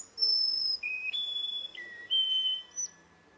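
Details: Russian canary in a singing contest delivering a chain of clear whistled notes, each held steadily at a different pitch, stepping high, low, middle and back up, ending with a short high chirp.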